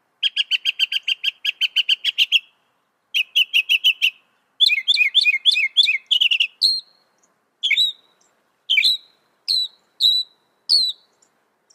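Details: Northern mockingbird (Mimus polyglottos) cycling through its varied song: a long stuttering trill, a shorter repeat, a burst of jumbled buzzy notes, then single sharp high chips spaced about one second apart.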